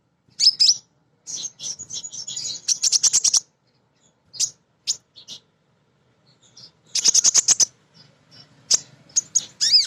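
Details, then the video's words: Energetic female sunbird, a lure to set off untrained birds, pours out dense, rapid high chattering and trilled bursts. Squeaky whistled notes break up the runs, and there is a brief pause midway. "Kolibri Ninja BETINA Ngriwik Nyrecet"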